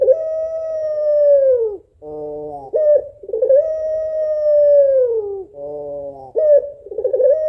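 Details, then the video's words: Calling female African collared dove, locally puter pelung, summoning the male with a mournful voice: prolonged smooth coos falling slightly at the end, each followed by a short burry rolling phrase, then repeated. "SUARA SEDIH BURUNG PUTER PELUNG BETINA MEMANGGIL JANTAN"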